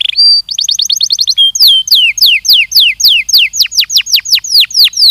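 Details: Belgian canary on a canary training recording: a quick rattling trill followed by a regular run of loud falling whistled notes, about three per second.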